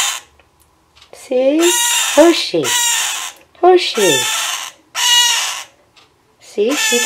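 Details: A pet male scarlet-chested parakeet, his female mate beside him, lets out four or five loud, raspy cries, interleaved with a woman's gentle reassuring speech.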